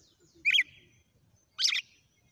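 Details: Red-cowled cardinal singing during a song sequence: two short, loud, slightly buzzy whistled notes about one second apart, the first falling, the second a dense burst, over faint low-pitched background noise.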